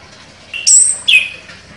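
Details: Champion orange-headed thrush giving sharp song notes: a short lower whistle, a long piercing high whistle, then a second high note sliding down.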